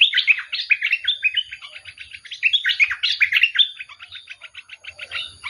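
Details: Bulbul singing a rapid series of bright warbled notes, louder at first, then fading into softer, evenly spaced ticking chirps.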